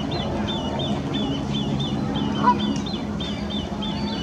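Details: Great crested grebe family passing their nest site by the Serpentine island, three chicks in full cry: high, thin piping notes repeated several times a second without pause, over a steady low rumble of wind or water.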